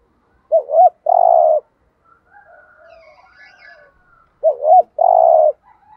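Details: Thúc gù cooing of a spotted dove kept as a lure for wild doves. A short wavering double note leads into a held buzzy coo, repeated twice. Faint thin whistles of other birds sound between the phrases.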